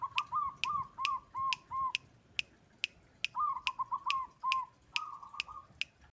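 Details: Zebra dove of a local white-barred type, whose song is meant to rattle and panic rivals, repeating soft looping coos in quick series, then a pause and a fresh burst, with regular sharp ticking clicks throughout.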